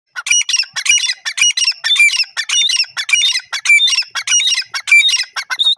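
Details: Grey francolin, called dakhni teetar, in forest: loud, harsh, squawking notes mixed with sharp high whistles, delivered in rapid, uneven bursts of about two per second throughout.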